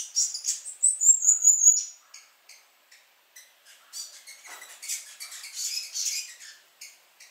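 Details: A New Zealand fantail sings among rafters at Belk Road South, Omanama, March 2019. Loud, very high squeaky notes open the phrase, then a rapid scratchy series of short chirps and twitters follows, about two or three per second.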